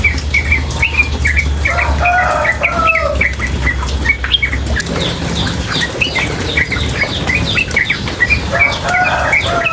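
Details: Rapid nonstop chatter of a female sooty-headed bulbul, used as tutor song: tumbling clusters of squeaky, slurred chirps mixed with lower warbled notes, with flowing water rumbling beneath for the first half.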